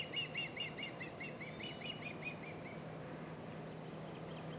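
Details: Agitated Osprey mother at a nest with two young, giving warning calls after bringing them a fish; rapid run of high, clipped whistled chirps, about two per second, fading out midway over a low steady hum.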